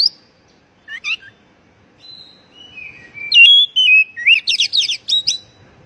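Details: Oriental magpie-robin call, used to prompt stressed, silent birds to sing: a few sharp chips, then drawn-out high whistles and a loud run of quick, jumpy, buzzy notes.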